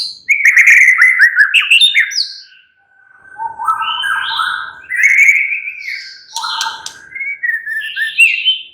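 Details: Relaxed white-rumped shama song meant to draw other shamas into energetic chattering: warbled descending whistles, a faint steady tone beneath, then varied rising and falling whistled phrases separated by short pauses.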